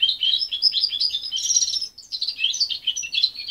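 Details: Promising but still muddled song of a young parent-reared goldfinch hybrid, separated at 23 days: an unbroken stream of bright high twitters and trills with a brief dip midway and a slight low background hum.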